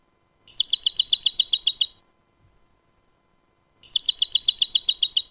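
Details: European goldfinch in clean song, recorded in 2019: two bursts of rapid, high, glittering trills about one and a half seconds long, separated by nearly two seconds of silence, with no other sounds.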